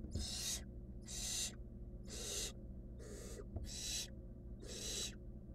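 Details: Wild barn owl nestling swallowing a rodent in a monitored nest box gives six steady, noisy rasping hisses, each near half a second, repeated about once per second, one faint click between.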